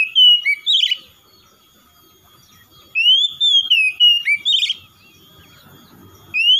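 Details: [0]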